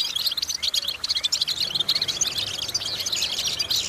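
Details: Goldfinch song meant as vocal practice for goldfinches, a continuous, high-pitched jingle of quick chirps and buzzy twitters that grows denser and steadier toward the end.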